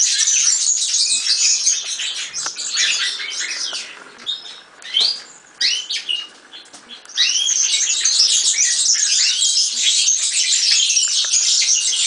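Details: European serin song: a fast, high, jangling stream of thin buzzy notes that runs steadily, drops to scattered quieter phrases around the middle, then resumes at full density.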